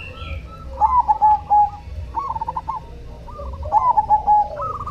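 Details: Zebra dove of the black cemani variety calling persistently, a series of soft, mellow, rounded coos with brief rolling notes in short phrases, repeated twice, over low rumbling background noise.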